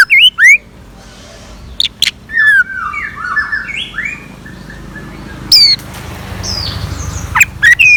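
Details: Scarlet minivet singing in the morning as a decoy: loud, brief whistled notes with quick upward and downward sweeps, scattered between stretches of softer mixed bird chatter and low background hum.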